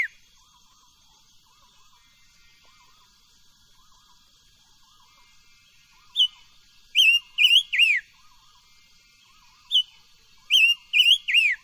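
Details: Silver-eared mesia singing as voice training: after a quiet start with faint low warbling, two bursts of bright, slurred whistles, each of three or four quick notes, are separated by a pause of about three seconds.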